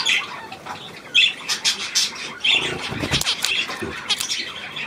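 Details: Budgerigar chatter from 9 February 2024: raspy squawks and clipped chirps arrive in uneven bursts, with a couple of brighter ringing notes and a soft knock partway through.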